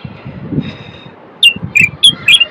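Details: After a second of quiet background noise, a male Moroccan common bulbul gives four loud, sharp whistled notes spaced about a quarter second apart. The song is used to stimulate males to sing and prepare females for mating.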